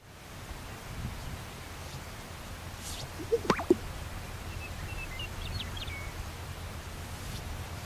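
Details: Greater sage-grouse in North America during its courtship strut display: a soft swish, then two hollow, bubbling pops in quick succession, made by inflating the air sacs on its chest. Steady background hiss, then faint chirps of small birds.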